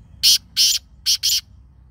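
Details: Black francolin (kala teetar) with a clear, loud grating call of four scratchy notes, two spaced apart and then a closely paired couple, in near silence.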